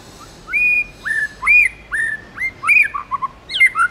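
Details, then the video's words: White-rumped shama singing a wild-style song: clear whistled phrases near the same pitch, some rising, some falling, in separate notes about every half second, ending in quick varied notes, over a quiet background. "Chích chòe lửa hót giọng rừng hay"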